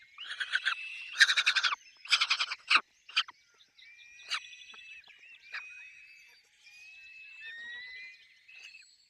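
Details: At a Peregrine falcon nest with chicks, harsh, rapid chattering bursts fill the first three seconds, followed by thin, drawn-out, high whistled squeals.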